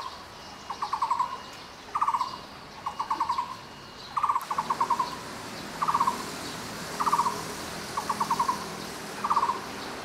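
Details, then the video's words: Taiwan barbet, endemic to Taiwan and found in woods from lowlands to middle altitudes, calling in quick trilled bursts of four to six hollow, low notes, about one burst every second, against a quiet hiss. "五色鳥/Taiwan Barbet"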